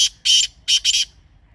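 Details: A grey francolin utters loud, harsh, rasping notes: one short burst, a longer grating one, then a closely linked double burst, with no other sounds.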